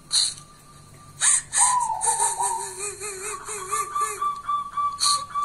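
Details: Kuntilanak-type local zebra dove: a steady thin whistle, then a falling coo sliding into a low, wobbling, quavering tone. Frequent short broadband clicks and taps sound throughout.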